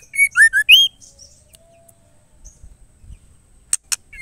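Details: Female white-rumped shama calling to the male: the tail of a whistled phrase with low dipping notes and a rising upslur, then faint soft rustles, two sharp clicks and a brief whistle.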